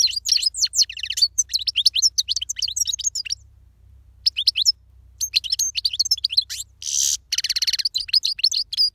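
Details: European goldfinch in powerful song: a fast, continuous stream of bright twittering and chirping notes, one short pause, then a buzzy nasal burst amid further rapid twitters.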